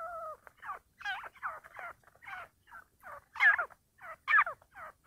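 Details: Partridge in a fighting bout, opening with two steady level tones, then a rapid series of rough, buzzy notes at about one per second, growing louder toward the end.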